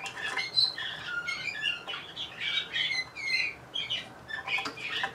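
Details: Bulgarian canary bred in Sofia, Bulgaria, singing more softly over a hissy background, with warbled notes, short trills and a few sliding whistles.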